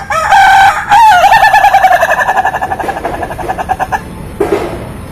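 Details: Ayam Ketawa rooster crowing: two strong opening notes, then a long run of quick pulses that gradually weaken over three seconds, ending with a short softer call.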